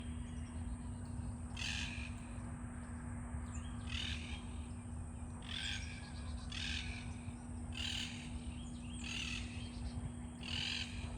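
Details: Two monk parakeets (Myiopsitta monachus) in a backyard on a cloudy day trade harsh, grating contact squawks, about eight bursts over eleven seconds, against a steady low hum and background noise.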